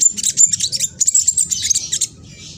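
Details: Black sunbird, a young spotted bird from East Java, Indonesia, phone-recorded, singing a rapid, harsh, very high twitter meant to spur rival sunbirds to reply; continuous chattering with thin whistled notes before trailing off.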